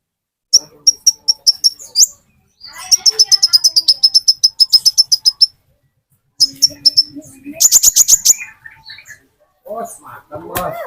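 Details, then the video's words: An olive-backed sunbird sings in several bursts of thin, high, evenly spaced notes, one run of about fifteen rapid ticks, then a harsher, buzzier flurry, separated by short silences. "Burung Konin Metalik Pancingan Konin Ijoan"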